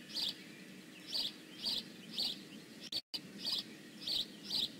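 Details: Repeated high, harsh chirps from a bald eagle at the Decorah North nest, 15 May 2017, about one every half second, broken by a short silent gap, faint constant tone beneath.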